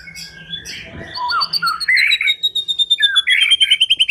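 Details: White-rumped shama lure song meant to make another bird sing: blurred chatter leading into rich warbled phrases over a thin sustained high whistle, then fast pulsing bursts of short notes.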